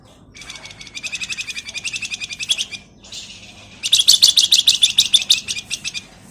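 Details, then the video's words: Male flamboyan, a caged songbird kept as a lure, singing in a gacor, full-isian style with nyerecet and ngebren phrases: two long bursts of rapid, high, buzzy trilled notes, the second louder and harsher, separated by a brief pause. "SUARA PANCINGAN BURUNG FLAMBOYAN GACOR FULL ISIAN NYULING"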